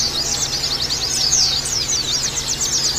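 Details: Oriental white-eyes in a crowded chorus, played as therapy to trigger harsh trilling and open-beaked singing; thin high chirps rise and fall rapidly in a continuous tangle, a faint low hum behind.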